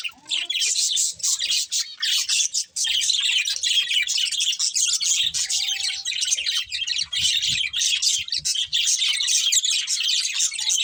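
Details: Several budgies keep up steady, dense chirping and twittering chatter, high and buzzy, with a brief lull near the start and one near three seconds.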